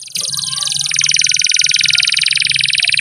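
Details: Canary in a long masteran song for prompting quiet young birds: a dense, buzzy, rapidly pulsed trill held for seconds, rising in strength, over a faint low rumble.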